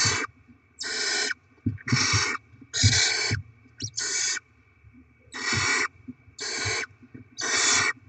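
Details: Barn owls at the nest on 7 February 2024, with rodent deliveries and young being fed; harsh, breathy hissing screeches about half a second long, repeated in a loose series of seven with short gaps, plus faint low thumps.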